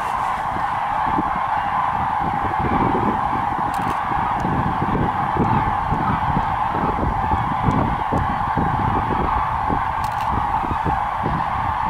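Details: A large flock of common cranes rising at morning departure to feeding grounds, 28 October on a dike around 8:09 am, gives a dense continuous chorus of loud rolling trumpeting calls over low rumbling noise.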